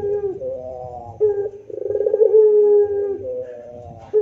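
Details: Spotted dove (puter pelung) singing persistently in the moaning 'rintihan' style, used as master training audio. Low, hollow coos with a fast stuttering rattle that swells into a long, steady, slightly falling tone, phrases following closely with brief gaps.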